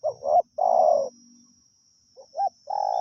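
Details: Decoy spotted dove kept to lure wild doves, cooing steadily: two low hoarse coos, a pause, then a short pair of notes leading into a longer drawn coo, over a faint steady high whine.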